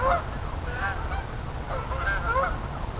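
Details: Several geese honk in two clustered bursts, nasal wavering calls at the start and again near the end, over a low rumbling background.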